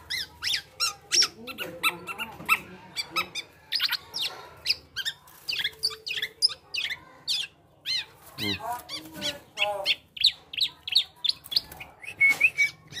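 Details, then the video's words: Male black-naped oriole in full, strange-sounding song copying other birds: a dense, rapid stream of high chirps, squeaks and trills, almost continuous for thirteen seconds with a few lower warbled notes midway. "Gocor Aneh Kepodang Emas,Bisa Menirukan Suara Burung Lain."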